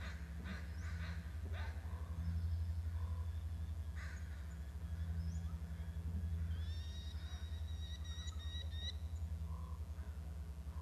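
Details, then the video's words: Eagle at its nest, arriving with a fish and calling, wings flapping. Thin, high, whistled squeals with bright overtones ring out in a run near the end, after short sharp notes earlier. A steady low rumble runs throughout. "eagle up and squeeing, flapping wings"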